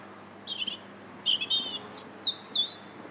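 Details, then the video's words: European robin singing on 21 January 2017 in the Linear Park, Bath: a varied string of thin, high notes, some sustained whistles and some sharply descending slurs, delivered at an uneven pace, with faint low hum behind. "Still the Robin Sings"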